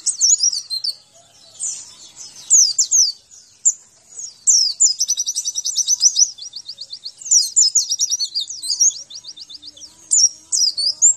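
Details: Training master-track song of a white-eye for caged birds: bright, high twittering phrases mixed with fast even trills of repeated clicks, in bursts separated by brief silences, with nothing else audible.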